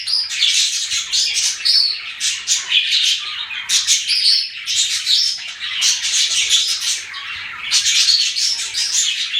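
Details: Budgerigars chirping in lively bursts of high, scratchy twitters and squawks, swelling and pausing briefly several times across the clip.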